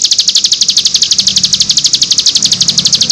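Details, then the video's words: Cigun delivering a nembak song used to tutor young birds: a quick, steady rattle of high, slightly buzzy chirps, about ten per second, continuing for the whole stretch over faint low rumble. "MASTERAN CIGUN NEMBAK 6 VARIASI"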